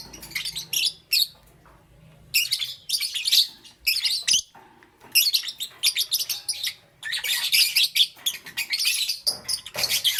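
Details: In the morning, pet lovebirds of Green Opaline and Parblue Euwing Green Opaline forms chatter in long, dense bouts of shrill, rapid chirps, broken by brief pauses.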